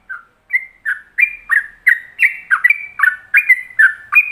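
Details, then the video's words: Yellow-vented bulbul giving a rapid, bubbly series of short liquid chirps, about three per second, warbling between mid and higher pitches, a "ropelan" master song used as a lure for other bulbuls to imitate. "Pancingan Masteran Ropelan"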